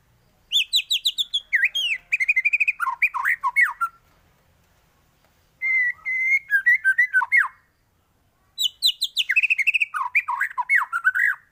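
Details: White-rumped shama in 'gacor' form delivering varied 'isian' phrases for use as a master recording to train birds. Three bursts of fast whistled and warbled notes, each a few seconds long, separated by short silences.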